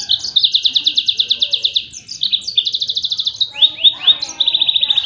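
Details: Sustained tembakan singing from a yellow-fronted canary, meant as a model for other songbirds: long, very rapid high trills linked by short buzzy phrases, with a few sharply downslurred notes near the end.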